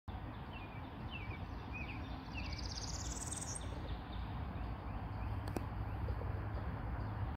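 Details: A Northern parula singing vigorously on April 18 near Cincinnati gives a high, buzzy trill that climbs steadily upward, with scattered chirps from other birds over a heavy low rumble.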